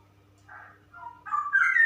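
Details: Female straw-headed bulbul, a caged bird, giving a short song: soft low warbles that build into a loud, rich, rising whistled phrase at the end.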